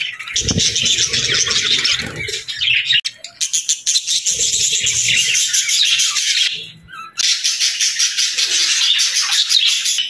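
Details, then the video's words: Budgies chattering with fast, scratchy high twitters and rattling warbles, the flock's chatter briefly dropping away twice before resuming, while low thumps sound underneath. "Cute Budgie Sounds"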